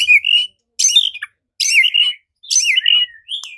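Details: White-rumped shama (murai batu) singing, heard as a lure to provoke singing and fighting: four short whistled phrases with buzzy, slurred upper notes, spaced about a second apart with silent gaps.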